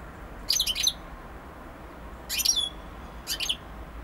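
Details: European goldfinch (Carduelis carduelis) singing: three short bursts of bright, tinkling twittered notes, each under half a second, separated by pauses of about a second, over a quiet background hiss.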